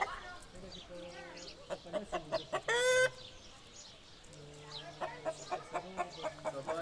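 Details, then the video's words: An Aseel rooster gives one short, loud, strained crow amid quick, clipped clucks and low grunting notes from the flock. "Aseel Roosters Crowing"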